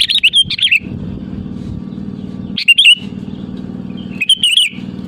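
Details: Sooty-headed bulbul in full voice calling to rivals, used as a lure: short bubbly whistled phrases around the start and end, separated by gaps, over a steady low mechanical hum.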